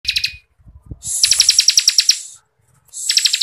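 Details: Bar-winged prinia in continuous dense song used as a training model for contest songbirds: a short high trill, then a long buzzy pulsed trill of about fifteen rapid notes, and another trill starting at the end.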